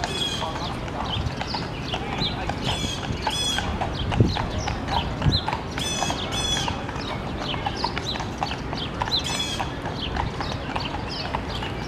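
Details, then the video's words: Blue jay berating a raccoon in Central Park, New York; harsh, raspy scolding cries repeated in bursts over steady city and park background noise. "Blue Jay berating Racoon"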